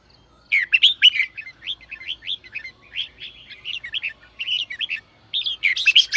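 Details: Red-whiskered bulbul song meant to stimulate other birds: short warbled phrases of slurred notes, some bursts of sharp chirps, phrases separated by brief pauses, with a faint low background hum.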